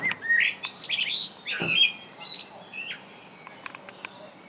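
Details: Common blackbird singing in England, a species whose male sings year-round; a burst of loud warbled and whistled phrases, then a thin, high squeaky twitter with scattered short chirps fading toward the end over faint background noise.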